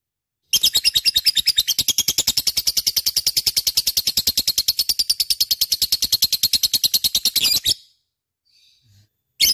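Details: Actively singing lovebird, used as a lure: seven seconds of fast, steady high chirping at about three notes per second, then an abrupt stop, a short silence and a new start.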